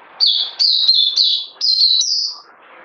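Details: Songbird delivering one continuous phrase of five or six bright, high, down-slurred whistled notes in quick succession, ending abruptly, with faint low background hiss.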